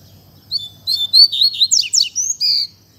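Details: Spirited 'canto fibra' song of a Double-collared seedeater, a rapid, continuous run of high sliding whistles, sharp downward-swept notes and short buzzy trills lasting about two seconds.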